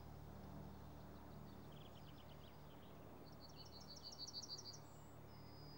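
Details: A yellowhammer (Emberiza citrinella) perched on a tree branch in a forest sings a quick run of high, dry repeated notes ending in a long, drawn-out note, then flies off, over a low hum of distant traffic.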